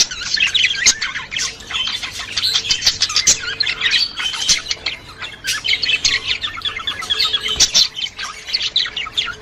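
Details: Budgerigar breeding-stimulation sound: many birds warble and chatter nonstop in a busy, high-pitched stream of quick chirps and squeaky notes over a faint steady hum.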